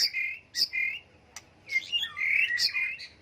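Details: Short phrases from a white-rumped shama, whose many-voiced song is used to provoke birds to sing in contests: buzzy, harsh notes, a brief pause, then a tangled burst of warbled and slurred sounds.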